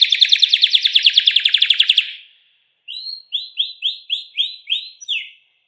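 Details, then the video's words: Pet canary singing a rapid, even trill for two seconds, a short pause, then six clear downslurred whistled notes in steady succession. "burung kenari bakal ikut bunyi dengar suaranya"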